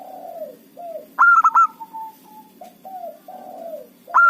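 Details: Lure zebra dove of a local strain sings: a loud cluster of quick hollow coos, then a string of softer drawn-out and falling notes, and another loud burst starting at the close.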